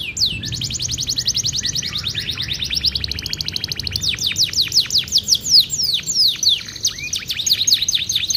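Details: Gacor canary singing a long phrase with a showy cengkok: a rapid rattling trill for several seconds, then loud sweeping down-slurred whistles and varied chirps, all high and continuous, clean background.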